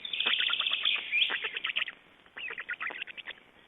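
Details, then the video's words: Black storks at an Estonian nest, 29 May 2012, during changeover and feeding; a loud, hoarse rasping run of rapid pulses, then a pause and a softer, broken series of scratchy notes. "Estonian Black Storks - Change and feeeding"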